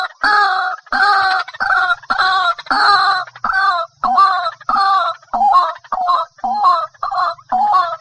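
White-breasted waterhen giving a long run of harsh, nasal croaking notes, roughly two each second, each note a grating double syllable.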